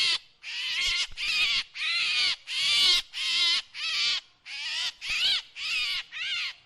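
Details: Drongo calls offered as a lure sound: a series of about ten harsh, rasping, buzzy notes, each roughly half a second long with a rising-then-falling sweep, separated by short gaps, with no other clear sounds.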